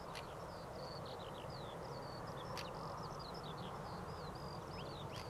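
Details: A female European stonechat at Powburn on 22 April 2012 gives sharp clicking notes, about one every two and a half seconds, among thin high chirps, over a steady low rumble of wind.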